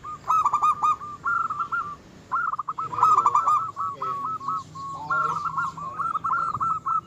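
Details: A lively local zebra dove sings to rile rivals and raise their breeding urge: repeated stuttering coo phrases with short pauses, loud trilled bursts at the start and middle, and faint lower notes beneath.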